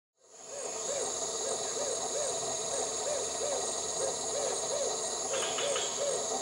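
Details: White-crowned hornbill, a rainforest species, giving a steady series of soft, mid-pitched, owl-like hoots, about three each second, each rising then falling, over a constant high insect drone.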